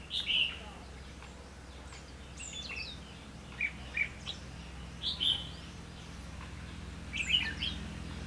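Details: During late-season trapping at Lương Sơn, Hòa Bình, a red-whiskered bulbul answers near a caged decoy. It gives clear, sharp whistled chirps in short phrases of two or three notes, repeated five times across eight seconds over a low steady hum.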